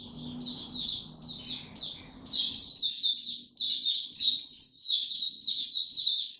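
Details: White-eye singing in warm, very humid weather: bright rapid chirped phrases that grow louder and denser after the first two seconds, with a soft low hum early on.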